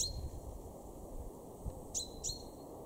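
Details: Male common chaffinch in a garden at Weener, East Frisia, northwest Germany, March 2023: two sharp, bright 'pink' notes close together near the end, each a quick downward stroke with a short ringing tail, over a low background rumble.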